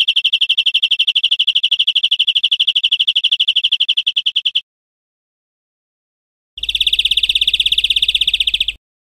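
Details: Singing European Greenfinch, Spain, 2013: a sustained fast trill of high repeated notes lasting over four seconds, silence, then a louder, harsher rolling trill with a faint low hum beneath it.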